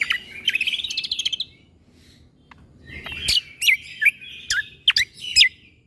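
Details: Young-shama tutor recording of a greater green leafbird in the 'tembakan' style: a rapid twittering run, a pause, then loud, sharp whistled notes about every half second.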